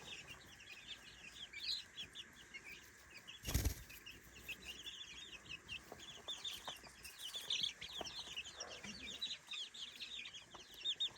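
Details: Young chicks, three weeks old, in a daytime playpen, giving faint, high overlapping peeps under a steady background hiss, with a sharp knock near the start.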